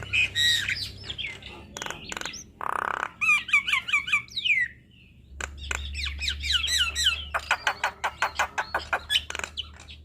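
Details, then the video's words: Tutor song of a Javan myna for young birds, in the long rolling style: squeaky warbles, a harsh buzz, twisting whistled phrases, a pause, then a long rapid series of sharp clicking chips. "Masteran Jalak Kebo Makun Ngeroll Panjang"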